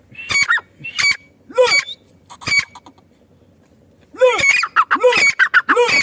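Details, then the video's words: Female partridge (madi teetar) giving harsh, nasal squawking calls, first single spaced notes about once a second, then a quick cluster of loud ringing notes after a short pause. "madi teetar ki awaz-teetar sound"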